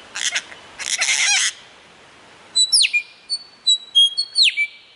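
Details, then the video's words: Mimicking lyrebird: two harsh, rasping noisy bursts, a pause, then a series of high whistled notes, some sweeping sharply downward and others held as thin level tones. "Lir Kuşu / Taklitçi Kuş / Lyre Bird / Mimetic Bird"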